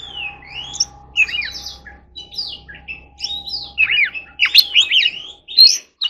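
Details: Oriental magpie-robin in training, delivering forest-voice song: scattered short whistled slurs at first, building to a dense run of twittering, downslurred notes. A steady electrical hum runs underneath.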